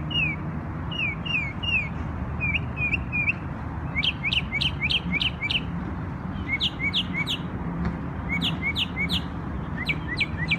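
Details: On Memorial Day in New York, a bird sings phrases of short downslurred whistles in groups of three, later mixed with sharp high ticks, the phrases coming every second or so, with a soft constant hum underneath.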